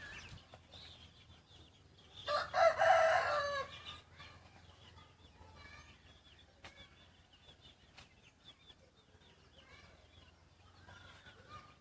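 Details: A single hoarse crow, rising and then trailing off over about a second and a half, comes from a young yellow rooster crossbred with wild junglefowl. Soft bird chirps and background hum follow.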